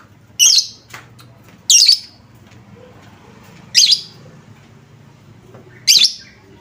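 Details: Lovebird lure sound to provoke other lovebirds into song: four loud, rasping high chirps spaced about two seconds apart, with soft background hum between them.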